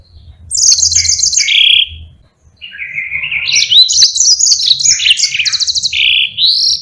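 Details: Yellow-fronted canary singing a long rolling song, played to teach other birds like pleci. The song is a continuous, fast, varied chatter that mixes high trills, buzzy notes and lower rising whistles, with one short pause early on.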